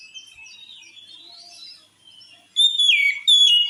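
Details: Oriental magpie-robin song reputed to provoke other magpie-robins to anger: soft, rambling, wavering whistles, then two loud, pure, drawn-out whistled phrases that slide slightly downward near the end.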